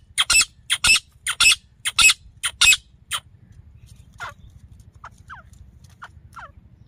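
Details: Grey francolin female call, used in hunting at Layyah in Punjab, Pakistan: six loud harsh grating notes about twice per second, then quiet, with faint thin descending chirps over a low hum.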